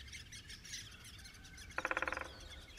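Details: Great spotted woodpecker (Dendrocopos major), a Russian forest bird: a single quick rattling burst of about ten hard pulses in under half a second, over faint background chirps and hiss.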